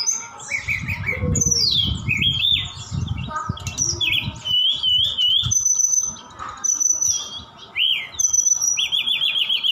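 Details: Javan bush lark from Sukabumi, singing actively with imitations of cililin and sikatan Londo. Varied high whistled phrases and slurred rising and falling notes, with low thumping knocks underneath through the first half.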